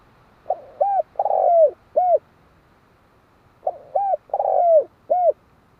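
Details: Two evenly paced phrases of spotted dove cooing, each a quiet lead note, an arched hollow coo, a lengthy rough coo falling in pitch and a short closing coo, over faint background hiss.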